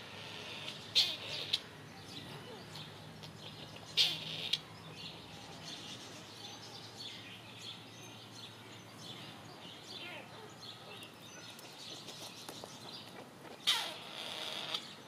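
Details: Grey partridges give sharp, scratchy calls in pairs, spaced a few seconds apart, as part of social interactions within their social hierarchy.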